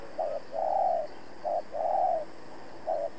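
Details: A trapping decoy spotted dove calls to lure and challenge wild rival doves, giving low, hollow coos. Short notes alternate with longer, swelling hoots over roughly three seconds, with faint background hiss.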